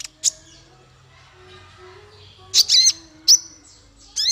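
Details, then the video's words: Male kolibri ninja (konin), used for tutoring songbirds: a sharp chirp, a long pause, then a quick burst of three high slurred chirps and one more at the end. "Suara konin untuk masteran burung 100%jitu konin jantan"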